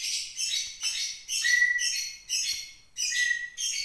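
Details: White-rumped shama from Mount Leuser, Aceh, kept in captivity nearly a year and singing after being provoked: bursts of dense scratchy high notes, some ending in a thin level whistle, repeated about every half second.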